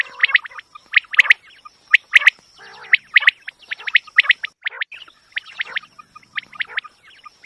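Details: Quail calling, a recording used as a hunting lure: rapid, overlapping sharp chirps in clustered groups of two or three, repeated about once a second, mixed with softer rasping notes and a constant thin high tone.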